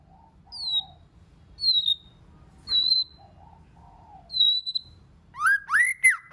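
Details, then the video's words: White-rumped shama song in many voices: clear high whistles sliding downward alternate with soft low warbles at a slow pace, closing with a few loud, arched, ringing notes. "Kích Chòe LửA HóT,chòe lửa hót nhiều giọng"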